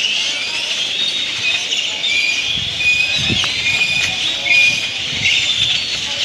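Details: Great-tailed grackles massed at their evening roost in Granada, Nicaragua; a dense high-pitched chattering din with thin whistled notes, and low muffled voices and thumps underneath.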